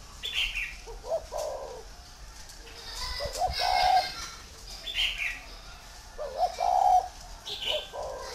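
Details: Large, tame spotted dove from a dove farm in Ba Vì, Vietnam, giving three rhythmic cooing phrases about three seconds apart, each a short stuttered lead-in and a deeper rolling coo, with higher chirps from other birds between them.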